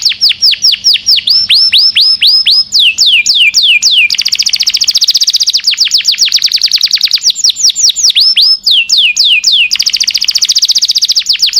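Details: Canary singing a long song used for tutoring caged birds: loud, rapid series of repeated whistled notes sweeping down from high pitch, switching between phrase types, with fast trills and buzzy rolls.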